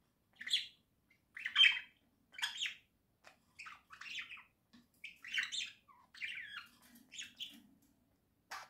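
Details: Pet budgerigars singing indoors, October 2024: a string of short scratchy chirps, buzzy notes and squawky bits, spaced irregularly, with faint low background murmurs.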